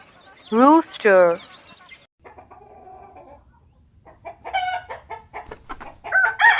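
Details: A rooster gives a loud, strained crow in two harsh bursts, then a run of quieter, rapid clucks and cackles.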